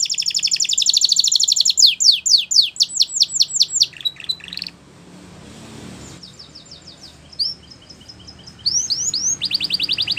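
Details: Belgian canary; song; teaching young canaries to sing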